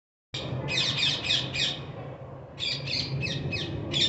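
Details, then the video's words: Parrots calling: a run of harsh, raspy, high squawks in quick bursts, a brief lull, then another series of grating squawks at about three or four a second. A faint low hum runs underneath. "Parrots making their sounds"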